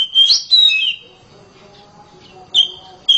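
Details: Oriental magpie-robin kept at home, giving a loud song of clear whistled notes in short bursts separated by a pause, with faint low tones in the quiet gap.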